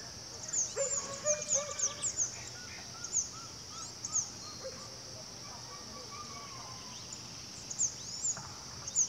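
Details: A male chestnut-vented conebill (Conirostrum speciosum), feeding, gives thin, very high chips in short bursts over a steady insect drone, with softer whistles from other birds behind.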